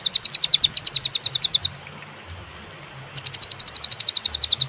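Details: Clear cililin song with pauses, recorded as a master for training songbirds: quick high, piercing notes in a rapid series, a pause of about one and a half seconds, then another equally fast burst.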